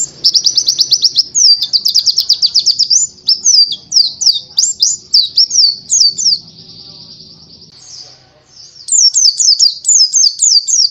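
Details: Masteran tutor song of the buxtoni subspecies of Oriental white-eye, used to train songbirds. A rapid chattering trill leads into sweet down-slurred chirps, then a soft lull, then a brisk burst of high repeated notes. Faint low rumble below.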